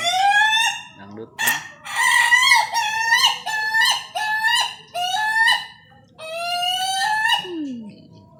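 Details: Contest-quality Ayam Ketawa rooster crowing: a long laughing series of short harmonic syllables, each rising then dipping, delivered in rapid bursts with brief pauses and a final drawn-out note.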